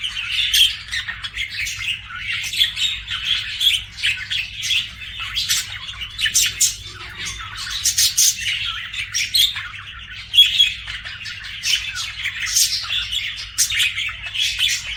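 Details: Budgies kept as pets chirping and warbling for fifteen seconds, rhythmic bursts of scratchy chatter, squeaks and clicks, with a low constant hum underneath.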